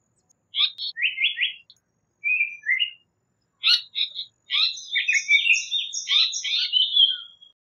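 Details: Japanese paradise flycatcher with quick burry whistled phrases and a falling two-note figure, then a long, dense, chattering run of overlapping high scratchy notes lasting several seconds, with no other sounds.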